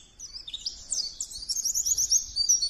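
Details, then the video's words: Pleci, the Oriental white-eye, in lively song: a continuous rush of high, thin, twittering notes that rise and fall quickly, with soft low background noise throughout. "Burung pleci gacor"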